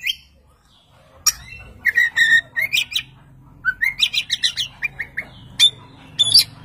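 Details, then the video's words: Oriental magpie-robin singing loudly from one spot, prompting another magpie-robin to answer: bursts of bright whistled and chattering phrases, short notes repeated in quick runs between brief pauses, with faint low background hum. "kacer gacor satu titik nembak bikin kacer lain langsung nyaut"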